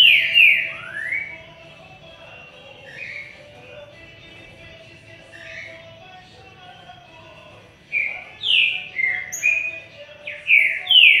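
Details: Song of a green-winged saltator: clear slurred whistles, including rising and falling sweeps, bunched at the start and again near the end, with a quiet stretch between. A faint constant tone runs in the background.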